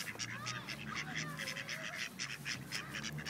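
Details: Group of ducks in Wilmington, NC, with rejected males forcibly mating a female; rapid repeated nasal quacking and honking calls from several birds, overlapping in a noisy, continuous chorus.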